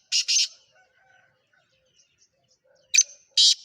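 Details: Sindhi black francolin, a captive bird kept for sale, calling in two rasping double bursts separated by a pause of over two seconds; the notes are harsh, broad and buzzy.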